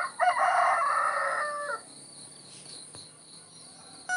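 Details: A rooster crowing on a countryside morning: one loud, rich, harmonic crow held for about a second and a half, then cut off sharply. A quiet rural background with a faint insect hum follows.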